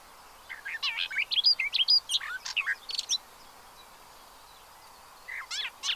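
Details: At a Séné reserve observatory in the Gulf of Morbihan, France, on 30 April 2023, pied avocets with chicks give about three seconds of quick looping chirps, then a pause, then a few more calls.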